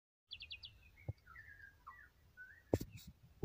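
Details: White-rumped shama singing: a quick run of four short high chirps, then a series of slurred mid-pitched whistles, with a few dull knocks and a sharp clatter near the end.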